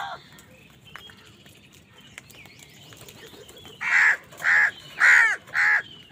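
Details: Harsh crow caws from angry birds competing with wild birds for food: quiet background for nearly four seconds, then four loud, evenly spaced caws in quick succession.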